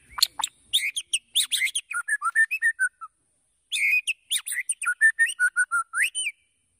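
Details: White-rumped shama song played to draw a quick singing response from other birds: a varied, rapid stream of chips and fluty whistled notes that drop in pitch, a brief break, then a similar varied phrase ending in rising whistles.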